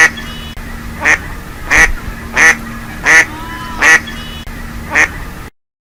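A mallard gives six loud, harsh, nasal quacks, evenly spaced about two every second, over a faint steady low hum.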